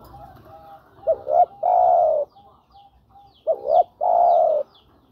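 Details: Spotted dove cooing to attract a female, two full phrases each made of two short rising notes and a drawn-out level coo, with faint soft coos between phrases.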